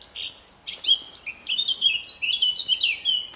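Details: Singing male blackcap in trees at RSPB Fowlmere, May, defending its territory; scratchy opening notes flow into a loud, fluty warble of rapid whistled phrases.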